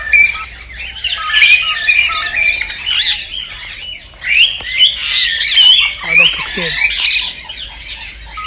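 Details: Mixed cockatiel chatter for mating stimulation, surging louder and softer in waves; twisting whistles and rasping squawks from many birds overlap throughout.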